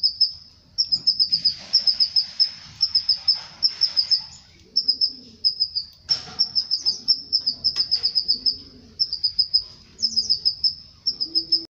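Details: Canary song that supposedly leads the male to mate with its female: repeated bursts of high, rapid rolling trills with short gaps, and faint low murmurs and rustling underneath.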